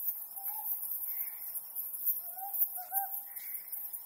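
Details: Ryukyu scops owl on a mid-autumn harvest-moon night, giving a few low, short hooting notes, two close together near the end, with faint higher calls between. A dense, high-pitched insect chorus runs throughout.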